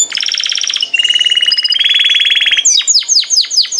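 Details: Canary song with long buzzy, rattling trills that shift in pitch, followed by a short sequence of descending sweeping whistles; a low constant hum lies beneath.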